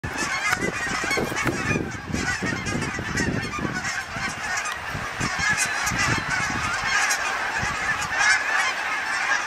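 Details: A large flock of Canada geese (Branta canadensis) migrating south overhead, recorded from a balcony, honking constantly: many nasal, two-note honks overlapping into a loud, continuous clamour with a faint rush of wind.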